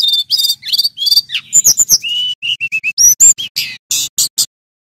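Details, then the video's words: Male Brown-chested Jungle Flycatcher with long, clear, loud song: repeated high whistled phrases, a few rapid clicks, then a row of short level whistles and bright chirps. "Burung SRDC Jantan GACOR"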